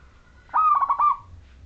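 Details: Singing zebra dove of the local wild Majapahit strain, its clear voice used to draw other doves into song: a single phrase opening with a drawn-out note, then a quick run of bubbling, pulsed coos that fade away.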